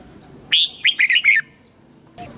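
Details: Lure red-whiskered bulbul calling wild birds in to fight, giving a single rapid phrase of five loud, rolling whistled notes, the first strongest, then a short faint note after a pause.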